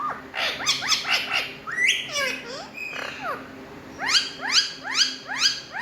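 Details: Talking Indian ringneck parrots chatter in fast bright notes, about two per second. A flurry of rising squawks opens, then comes a pause of bent calls, and a regular series of sharp slurred chirps closes.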